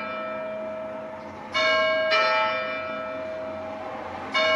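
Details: Church bells ring in a steady, resonant peal, with fresh strikes renewing the ringing tones partway through and again near the end. No animal voices are heard.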